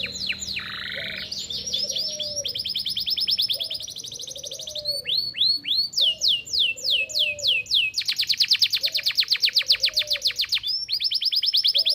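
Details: AF canary singing persistently, used to tutor young birds and stimulate hens to breed: long varied song of buzzy tours, rapid trills, sweeping whistles and dense rattling phrases, with fainter lower warbling notes recurring in the background.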